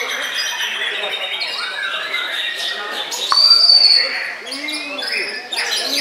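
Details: White-rumped shama singing while bowing, varied whistled phrases building to a loud, clear sustained high whistle, then quieter chatter and a final burst of sharp notes.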